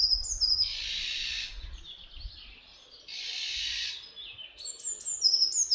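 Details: Garrulus glandarius fasciatus, the Iberian form of Eurasian jay, among birds visiting Camorritos in Cercedilla, Madrid, Spain. A pair of rough, scratchy screams about two seconds apart, with bright high chirping from other birds at the start and end.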